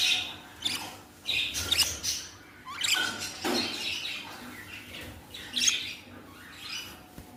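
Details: Baby budgerigars kept indoors giving overlapping high chirps, soft squeaks and short scratchy squawks, with rustling and a steady low background hum.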